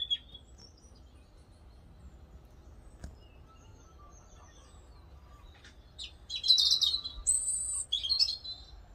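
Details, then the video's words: Birdsong recorded outdoors: a quiet stretch with an odd distant high note, then a sudden lively run of sharp high chirps and trilled twitters over faint low background rumble. "Vogelgezwitscher Originalton"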